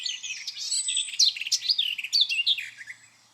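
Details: A garden warbler at Fish Lake Meadows under a gloomy sky sings a fast, rich, continuous warble of bright, varied notes in a high register, running without a break for about three seconds.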